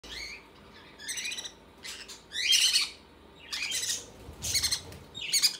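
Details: Conure chicks begging while their mother feeds them, giving harsh, raspy squawks in separate bursts about once a second, some with a rising, buzzy edge, over a quiet low hum.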